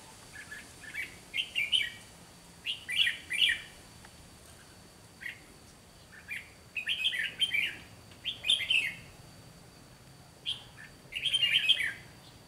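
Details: Red-whiskered bulbul serving as a decoy in trapping, with fighting song: many brisk warbled phrases repeated every second or two over several seconds, some notes doubled in quick pairs.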